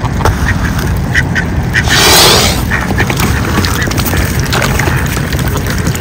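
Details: Male mute swan, one of a pair gorging on seeds, recorded February 5, 2023: a single breathy, rushing hiss of about half a second rises out of steady pecking and dabbling clicks, with faint quack-like calls nearby.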